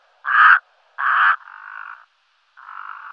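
A brown-necked raven gives four harsh, hoarse croaks about a second apart: two loud, rasping ones, then two softer, flatter calls. No other sounds intrude.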